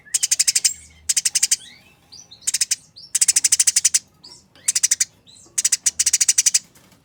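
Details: Fighting Eurasian tree sparrows produce fast, coarse chatter in repeated dense bursts of scratchy notes. Short pauses fall between the bursts, and soft squeaky chirps sound in the gaps.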